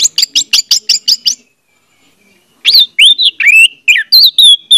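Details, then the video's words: Orange-headed thrush song, used as a lure for a silent bird: a fast, even series of about ten sharp notes, a pause, then a flowing sequence of rich, rising and falling whistles. "audio suara anis merah || pancingan ampuh untuk ania merah membisu"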